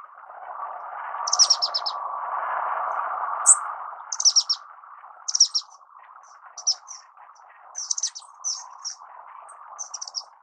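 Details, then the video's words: Singing Orange-cheeked waxbill (Estrilda melpoda) gives repeated bursts of high, thin, buzzy chirps, mostly grouped in twos and threes, about one burst every second. A constant low hum runs underneath. "橙頰梅花雀/Orange-Cheeked Waxbill(Estrilda melpoda)singing"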